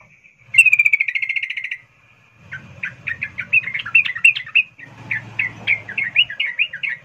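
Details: Sooty-headed bulbul, a female calling to a male in breeding condition; a fast rattle of repeated notes, then a lively stream of varied bubbly chirps lasting several seconds over a low background hum.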